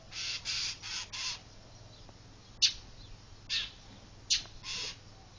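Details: Bird outside a house mobbing a cat, chirping, calling other birds and diving at it, persisting for about a month; harsh broadband scolding bursts, four in quick succession, then sharp clicks and further rasping notes spaced about a second apart.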